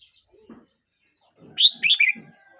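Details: Young red-whiskered bulbul, 12 months 29 days old, gives a single loud, chattering whistled phrase of three quick parts, with soft low clicks before and beneath it.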